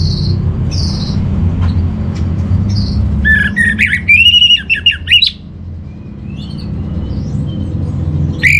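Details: Master song of an orange-headed thrush for training birds kept at home. Faint high notes come first, then a loud, dense run of warbled, fluttering whistles for about two seconds, fading back to low rumble.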